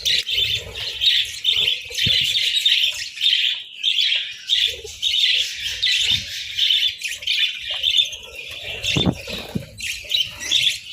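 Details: Winter breakfast of boiled eggs and bread for a group of budgies, which chatter steadily in quick, buzzy high chirps about every half second, interrupted near the end by a few sharp knocking sounds.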